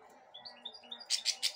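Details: Goldfinch hybrid, a caged pet fed broccoli by hand; soft high whistled twitters that step up and down, then three loud harsh bursts close together, over low indoor hum.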